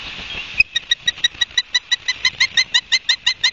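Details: Osprey at a nest in Barnegat Light, New Jersey, on 31 August 2022 at 12:30, recorded by a nest camera: a steady series of sharp, high, piercing chirps, about three each second, following a short burst of hissing background noise.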